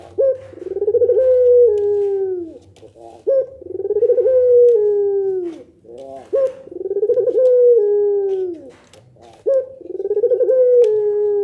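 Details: Barbary dove repeating its pelung coo four times at steady intervals of about three seconds. Each has a brief sharp onset, a trilling rolled section and a drawn-out descending note; faint low hum behind. Other doves are said to answer this call.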